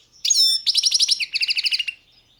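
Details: Balkan goldfinch, Carduelis carduelis balcanica, recorded for a 2022 song competition: a whistled note followed by a rapid, evenly pulsed trill of bright twittering syllables lasting under two seconds.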